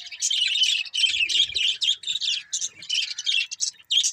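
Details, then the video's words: Budgerigars chatter without pause, a steady stream of high, scratchy chirps and warbled notes that rise and fall quickly. "Budgies Chirping Sounds"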